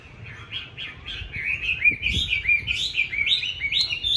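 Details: A tame, fight-ready Chinese hwamei kept caged in Hanoi, Vietnam, pours out a fast string of bright whistled notes, each slurring up then down, repeated about three per second.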